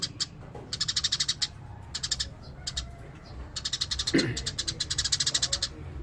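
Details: Eurasian tree sparrow singing in natural full song: rapid bursts of high, dry chirps run together in rolling series of five to ten notes, with pauses between bursts and a low background rumble.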